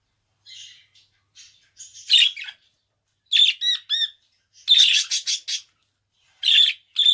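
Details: Budgerigar singing in short separated bursts: soft chirps, then loud buzzy squawks and quick clicking notes, each burst lasting under a second with brief silences between them.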